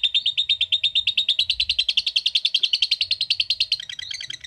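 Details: Lovebird 'ngekek' trill, 'ngetik' style: quick, regular high chattering pulses in a continuous line, ending with a few lower, looser notes, over a faint low rumble.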